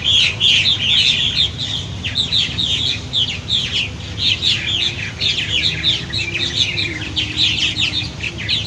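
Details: Purple martins at fledging time, adults calling young out of nest gourds; a loud chorus of many overlapping gurgling, chirping calls, continuous and dense throughout, with low rumbling background noise.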